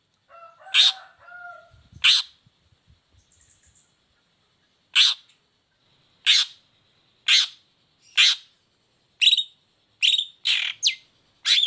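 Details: Long-tailed shrike harsh song notes serving as a lure for lazy or moulting shrikes: an opening whistled phrase, then a series of rasping bursts that speed up toward the end, with short rising squeaks.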